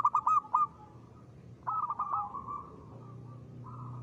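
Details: Lure song of a local zebra dove meant to get other birds singing. It opens with four loud, quick coos, then a pause and a longer purring roll that fades into a soft drawn-out note.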